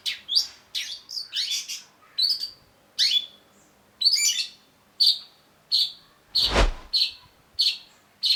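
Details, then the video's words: A long-tailed shrike in a training recording for captive shrikes sings a run of harsh, scratchy chattering notes and short high buzzes, repeated about every half second, with one dull thump partway through. "cendet gacor MASTERAN CENDET BAHAN AGAR TIDAK MACET SUARA || Long-tailed Shrike"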